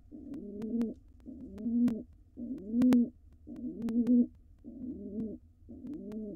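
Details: A wild male pigeon coos while courting a dancing female before laying, in a nest box. Six deep, rolling coos in regular succession, some clicks, and a low steady hum beneath.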